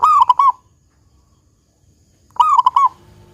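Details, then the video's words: Local zebra dove in big 'kung' song: two crisp phrases of four rapid mellow coo notes, the second starting about two seconds after the first ends, in a quiet setting. "Perkutut Lokal GACOR Suara Kung Besar"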